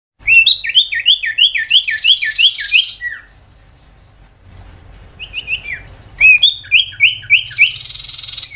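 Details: Ashy tailorbird in the 'tembakan' style, used to tutor magpie-robins and lure young tailorbirds into singing: fast runs of about ten sharp downslurred chips, a pause with faint background hum, then a second run.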